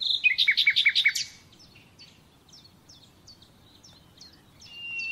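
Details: Common nightingale singing, recorded for training captive birds: a fast series of loud chirped notes, followed by a quiet run of soft, well-spaced ticking notes and a faint thin whistle.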